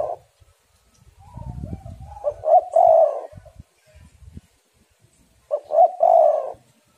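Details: Two coo phrases from a female spotted dove used to lure and excite males, each made of brief hoots that swell into a long, husky coo, separated by about three seconds with some faint low rustling.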